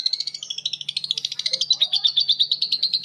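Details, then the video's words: Caged lovebirds calling back and forth in a long ngekek: fast, even, high chattering notes repeated about three times a second, with a faint low hum beneath. "Suara Lovebird ngekek panjang❗Suara bikin Lovebird Betmen vs vio vs paskun saling bersautan."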